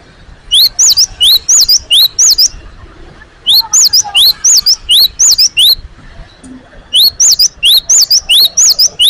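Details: A great tit sings vigorously soon after being caged. It repeats sharp upward-sweeping whistled phrases in three long, steady bouts of six or more, with only brief gaps between them.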